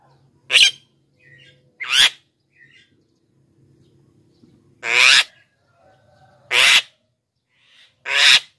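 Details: Black-winged myna (jalak kebo) singing loudly, used to call wild birds and train lazy singers: five harsh, rasping screeches spread over eight seconds with soft chattering notes between.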